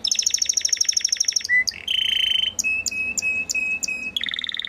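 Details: Belgian galador canary singing a quick high rattling trill, a short low note, a buzzy rolling tour, then a held tone broken by regular bright chips and a final dense trill.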